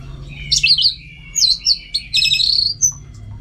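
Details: Orange-headed thrush (anis merah), caged bird from North Bali: short bursts of high, sharp whistled and warbled notes, three quick phrases ending in a thin rising whistle.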